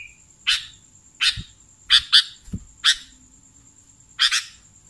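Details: Sooty-headed bulbul lure recording: scattered harsh chirps, some doubled, at irregular spacing, with a couple of soft low thumps and a faint steady high tone.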